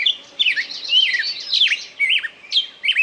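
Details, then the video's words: Lively bird song with rapid warbled notes and downward-swooping whistles, about two phrases per second, tumbling together without clear pattern. "пение птицы"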